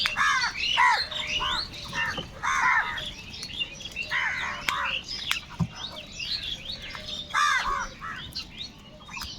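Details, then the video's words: Large numbers of crows squabbling over food: overlapping harsh, downward-bending caws in bursts roughly every second, with many more distant bird calls and clicks behind them. "Kaka sound and noises of Crow birds | Huge numbers of crows crowing and crying sounds"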